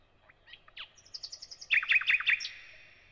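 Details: Thrush nightingale (Luscinia luscinia), song.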